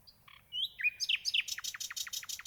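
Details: Nightingale phrase opening with soft varied whistles and slurred notes, then speeding into a fast, repeating run of downward-sweeping notes.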